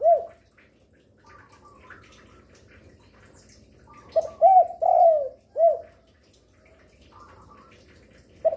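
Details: Spotted dove, a vocal bird said to call by day, afternoon and night and used to lure other doves. One low cooing phrase of quick, arched and long falling coos plus a spaced last coo, set amid faint background bird chirps, with further coos at the edges.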